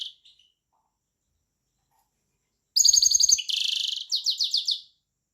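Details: European goldfinch singing: after a brief high chirp and a long silence, a quick run of bright, tinkling twittered notes with a buzzy middle section. The run lasts about two seconds, fast and slightly irregular, with no other sounds.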